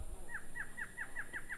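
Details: Male Black-hooded Antshrike calling behind a female in Costa Rica in January 2020, a quick series of about seven short, down-slurred nasal notes, roughly five per second, over a low background hum.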